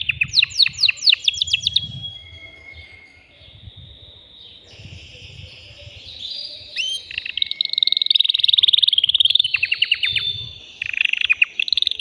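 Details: Male canary, caged and worked up, singing to bring a female into mating condition. The song opens with sweeping descending notes, drops into a quieter stretch, then returns with dense rolling trills and rapid chip series.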